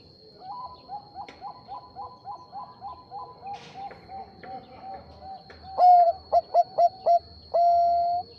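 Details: Zebra dove of the Bangkok type calling to prompt a rival to reply: a long run of soft, quiet repeated coos, then a louder burst of four short mellow coos and a final drawn-out coo, over a faint steady high tone.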